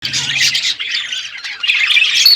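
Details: Budgerigars chirping in the morning: a dense, continuous chatter of squawky, warbling notes from several birds with no pauses, ending in a thin high whistle.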